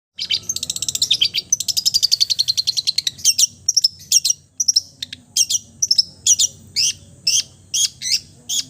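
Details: Long-tailed shrike singing a full repertoire that imitates other birds: a fast run of evenly spaced high chirps for about three seconds, then separate sharp chattering notes and short buzzy bursts at slower intervals.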